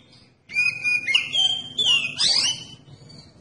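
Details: Oriental magpie-robin song used to provoke other magpie-robins to sing: a long whistled note followed by tumbling, rich warbles and rising sweeps, fading into a soft trailing note.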